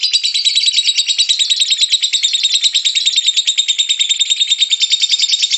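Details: Lovebird with a ngekek song: a dense, even, rattling stream of high shrill notes, pulsing quickly and regularly with no breaks.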